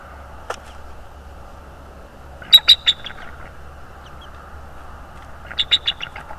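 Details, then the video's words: Bald eagle at a nest in North East Florida, picked up by a nest camera on 25 January 2022: two bursts of high, clipped, chattering notes, one near the start and a second rapid series of four or five notes later, over a low steady hum. "Bald Eagle Cam"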